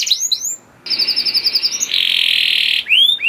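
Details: Canary song played to prompt other canaries: short upslurred notes, a pause, a fast pulsed trill, then a long buzzy churring note and rising whistled slurs to close.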